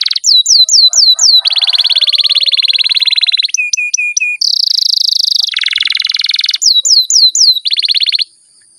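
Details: Canary song with long rolls: short groups of hooked whistled notes alternating with extended rapid buzzing trills at several pitches, including one very high roll, then more hooked notes.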